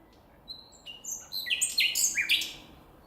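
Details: Wild common nightingale in nature delivering a varied song phrase: scattered high pure whistles that build into a dense burst of sharp, ringing notes that fall slightly in pitch, with nothing else audible.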